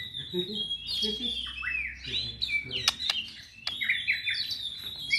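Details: White-rumped shama (Copsychus malabaricus), a kept bird of an unusual colour form such as albino or pied, sings a rich, varied stream of whistled phrases with swooping slurs and sharp clicks; faint low voices murmur underneath.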